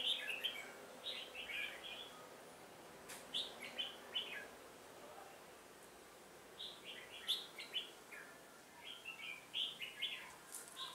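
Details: Red-whiskered bulbul singing as a decoy to provoke wild rivals during trapping, recorded 1 October 2018: bursts of short, bright, warbled phrases about a second long, in two clusters separated by a quiet pause, over a faint steady hiss.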